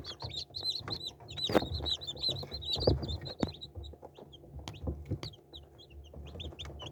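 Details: Many young chicks give dense runs of shrill, high peeps in quick succession, thinning out later, with knocks and shuffling underneath.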